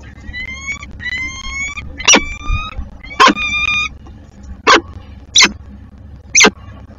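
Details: Peregrine falcon at its nest in Szczecin, recorded 26 March 2022: a series of harsh, strongly harmonic calls, some drawn out and others short sharp notes, repeated irregularly about every second, with sharp knocks in between.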